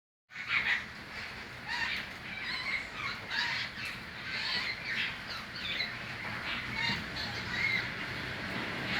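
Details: Birds calling outdoors: many overlapping bright chirps and squawky notes around a busy chorus, with a steady wash of background noise throughout.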